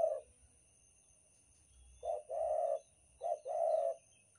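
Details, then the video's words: Spotted dove (derkuku) from Banten, used as a lure sound for bird catching: a short low coo, then a pause and two phrases, each a brief note followed by a longer, throaty, rolling coo. Faint low background hum. "suara pikat derkuku banten super ampuh untuk pancingan"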